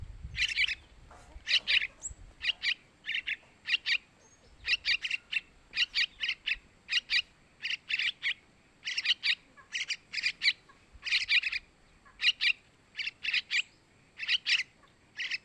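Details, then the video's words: Young sooty-headed bulbul begging calls meant to attract males: a long run of sharp, buzzy high chirps in twos and threes, roughly one burst per second, steady over fifteen seconds. "Suara Anakan Trucukan buat Pancingan burung Trucukan jantan"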